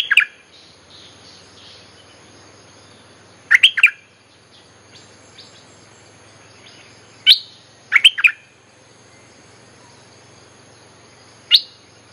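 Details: Bulbul training song played as a lure for wild birds: short bursts of two to four bright, bubbly chirps separated by long pauses of several seconds, with quiet background hiss.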